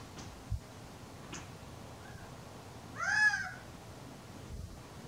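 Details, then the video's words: A male Gambel's quail calls on a warm, sunny April afternoon: one loud, nasal, slightly arched, cat-like harsh call about half a second long, with a few faint clicks and quiet background noise. "Gambel's quail call"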